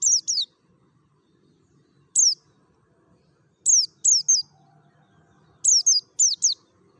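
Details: Mountain white-eye from Merapi giving the ngalas song used to coax other white-eyes into song: thin, piercing downslurred notes in scattered pairs and triplets, separated by quiet gaps, over a faint low hum.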